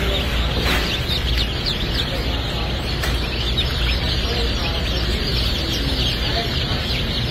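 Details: Chicks hatching at a US hatchery on 27 June 2022: many faint, high, short peeps overlap throughout, quick rising chirps scattered densely over a loud steady machine hum.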